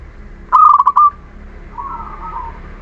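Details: Zebra dove from Muria, lure song for birds that will not sing: one loud rapid trilled coo phrase, then a faint soft wavering coo.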